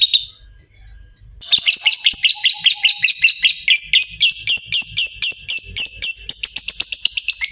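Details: Long trill (ngekek panjang) of a fighter lovebird, meant to agitate rivals: after a short quiet start, a fast, shrill, buzzy chatter of high notes repeated about four times a second without a break.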